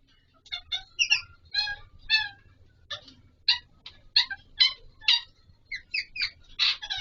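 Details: Alexandrine parakeet, the Pahari Kashmiri parrot, during mating: irregular series of short harsh squawks and chatters over seven seconds, some clipped and some drawn-out, with brief pauses between bursts.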